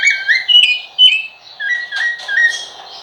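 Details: Rufous-bellied thrush giving a quick run of fluty whistled notes that slide and wobble, then short level phrases, all strong and close against a quiet, faintly humming background.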